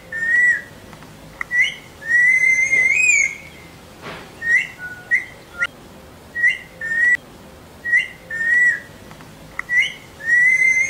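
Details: Pet parrot in a training session giving pure whistled notes, some held and gently wavering, others short and clipped, coming in irregular bursts every second or so with brief quiet gaps.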